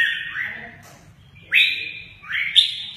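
Red-whiskered bulbul giving three bright, slurred, upswept whistled phrases about a second apart, with a faint low hum behind.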